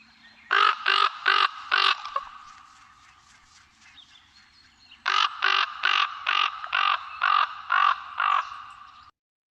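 Common Raven giving harsh, hoarse croaks: a run of four, a pause, then seven more in steady rhythm, about two per second.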